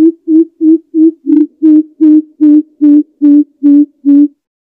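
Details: A Greater Coucal (Centropus sinensis), a call used as a trapping lure, gives a steady series of eleven deep, hollow hoots, about two or three each second, all on one low pitch, with no other sounds.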